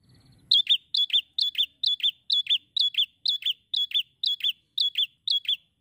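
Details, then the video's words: A bar-winged prinia (prenjak) in semi-active song gives a fast, steady series of high, sharp two-part chirps, about two every second, after a brief low rumble at the start. "PRENJAK SEMI GACOR"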